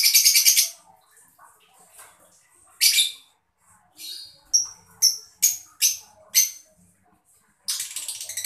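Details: A mocca lovebird chirps to stimulate other birds to sing. A loud, harsh burst gives way to a row of sharp, clipped whistles about half a second apart, then a final rasping burst.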